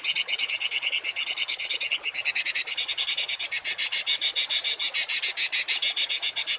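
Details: Rough rapid-fire songbird phrase from a masteran training recording for cage and contest birds. A steady stream of high, rasping, buzzy pulses repeats about twice a second, fairly evenly, without pause for over six seconds.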